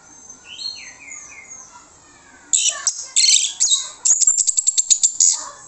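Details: Orange-headed thrush lure song to get other birds replying. Soft, gliding whistles are followed by loud, harsh, scratchy bursts, then a fast string of sharp, evenly repeated high notes.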